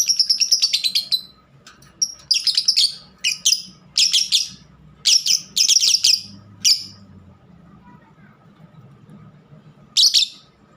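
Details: Shrill, scratchy chattering from a pet lovebird in uneven bursts of rapid notes, a long pause, then one last short burst near the end.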